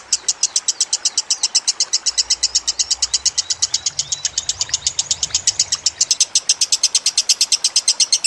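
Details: A training recording of lovebird song over trickling water: an unbroken series of piercing high chirps, roughly three per second, holding an even rhythm throughout.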